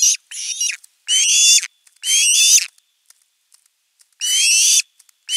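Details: Osprey at camera nest 3, 10 August 2021, where a chick calls at length for fish: drawn-out, rising screeching whistles about half a second long, separated by pauses of roughly one second.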